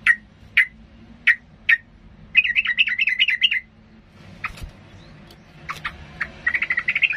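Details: Yellow-vented bulbul in strong, agitated song, used to provoke rival birds, gives sharp single chirps, then a quick bubbling warble, more scattered chirps and a final rapid chattering burst; faint low background hum.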